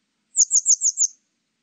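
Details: Grey wagtail, 2020 national biological resources recording: a rapid, even series of five thin, high, downward-flicking tsit notes spaced evenly in under a second, nothing else audible.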